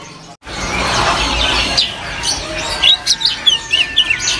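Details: Caged white-eye (jomin) in a market kiosk, said to sing diligently every day; after a burst of broadband noise, a run of short high whistled chirps and warbled notes in quick succession, with a man talking nearby.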